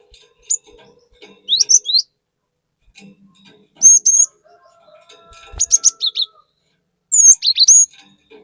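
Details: Cinereous tit singing in a varied, rapid-fire style as a lure. Scattered phrases of clear whistled notes, some upslurred, come every couple of seconds over a faint background hum.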